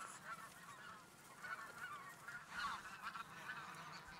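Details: A goose flock flying from feeding fields to water, calling in a busy mix of honks. The calls swell near the middle, and one sharper cry stands out.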